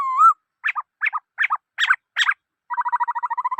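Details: A black-throated laughingthrush sings: a smooth rising whistle, then five evenly spaced double-noted chirps and a fast rattling trill of short notes.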